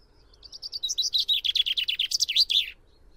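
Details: Full song phrase from a common chaffinch, starting with soft high notes, building into a loud, fast cascade of repeated chips and closing with a sharp, rolling flourish about two and a half seconds in.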